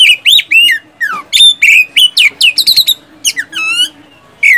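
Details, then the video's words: Oriental magpie-robin whistled song intended to get idle caged birds singing: varied slurred notes, some dropping steeply, rapid clipped chirps in the middle, a pause, then one last rising whistle. "SIULAN dan TEMBAKAN kacer satu ini,DIJAMIN ampuh buat pancingan kacer macet malas bunyi jadi gacor"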